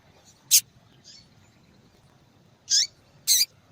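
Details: Female yellow-bellied seedeater calling a lot to attract attention: a single sharp high chip, a soft faint note, then two downslurred chirps in quick succession after a pause.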